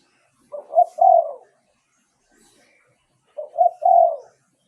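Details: Spotted dove song for luring wild doves, heard as two identical three-note cooing phrases nearly three seconds apart; each builds from a soft short note to a louder one and ends in a longer, slightly falling coo.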